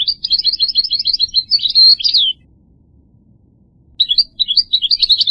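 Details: Goldfinch twittering in rapid bouncing notes, ending with a brief high whistle, then a pause of over a second before another burst of quick, tinkling phrases.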